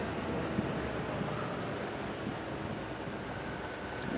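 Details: Wind buffeting a microphone on a sunset safari drive, a steady broad roar with a few faint knocks and no animal sounds.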